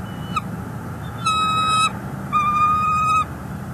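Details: On a northeast Florida nest, 18 January 2022, a male bald eagle delivers furry prey to his mate, caught on a live camera. A brief chirp, then two long, flat, high whistled squeals with rich harmonics, above low background hum.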